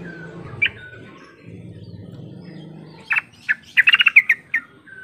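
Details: Yellow-vented bulbul call used as a lure to set silent or lazy bulbuls answering back and forth: a single chirp early, then a fast run of bubbly, clipped chirps bunched together after three seconds, over a soft low rumble.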